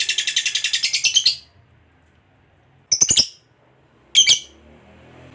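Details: Fighter lovebird's ngekek, a long trill used as a lure for other lovebirds: a fast grating pulsed chatter for over a second, silence, then two short scratchy bursts and a final click.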